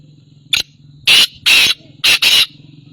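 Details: Black francolin calling, a series of loud harsh grating bursts: one short note, then two longer rasping notes, a pause, and two more, over a steady low hum.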